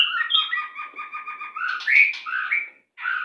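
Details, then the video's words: White-rumped shama song for captive-bird training: a rapid, evenly pulsed trill of doubled notes, swelling into loud rich warbled whistles, then a short pause and a fresh phrase. "Masteran Burung Murai Macet Sepid Rapat"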